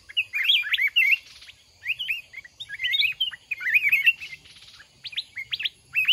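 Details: Mountain red-whiskered bulbul responding at a fighting trap set with a caged decoy bird: rapid, dense runs of lively whistled notes rising and dipping, in bursts separated by short pauses.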